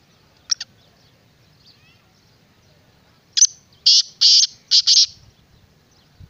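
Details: Black francolin, locally called kala teetar, calling: two short clipped notes, a pause of nearly three seconds, then a grating phrase of five harsh, buzzy, high notes in quick succession, with a quiet background.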